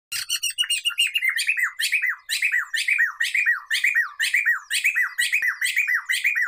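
Black-throated laughingthrush in a loud, nonstop run of ringing, down-slurred notes, about two per second, edged with harsh chattering overtones.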